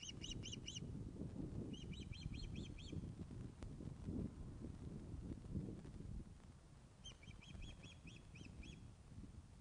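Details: Webcam recording of Ospreys at a Loch of the Lowes nest in Scotland, 21 August 2012, 16:35, as a fish is delivered: three bursts of quick, piping chip notes, five to seven per burst, above steady low rumble.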